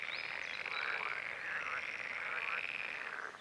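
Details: Red-necked grebe, one of a breeding pair followed through spring (April–May) while mating, catching Northern crested newts and later feeding zebra-striped chicks; a continuous harsh, pulsed, wavering call that rises and falls without pause for over three seconds.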